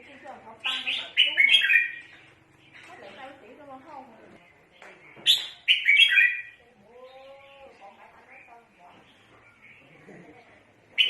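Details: Red-whiskered bulbul used for trapping, uttering two bursts of sharp, scratchy chattering notes several seconds apart, followed by a quieter, lower sliding sound and faint background noise.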